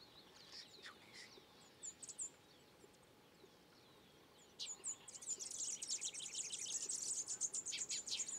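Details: Peruvian Collared warbling-finch giving scattered high chips, a brief pause, then a dense, rapid, buzzy trill of very high notes running for the last three seconds.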